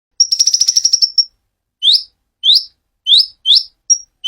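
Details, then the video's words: Konin of the dacok type, singing actively with a clear voice: a fast, even trill of about ten bright high notes, then a series of quick rising whistled upsweeps spaced about half a second apart. "Konin dacok gacor suara jernih"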